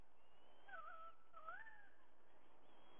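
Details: White-bellied sea eagle at a nest in Sydney, Australia, recorded 30 September 2022 at 05:44: two quiet, wavering tonal calls with rising and falling inflections, over a steady low hiss.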